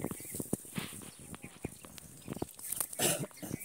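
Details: A green Indian ringneck parrot mimics speech in short, clipped, raspy bursts, with a few sharp, high squeaky notes near the end.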